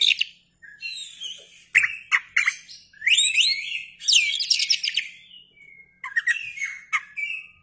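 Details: Oriental magpie-robin singing energetically while spreading its tail, used as a lure for other birds: a rapid, varied run of chirps, sharp clicks, trills and bright whistles in bursts with short gaps, closing on a thin level whistle.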